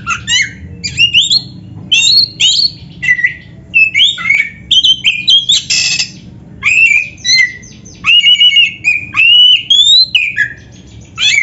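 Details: Oriental magpie-robin in lively 'gacor' singing full of 'isian' fill-ins: a long sequence of loud, varied phrases of whistles, rasps and trills, each lasting under a second and coming in steady succession.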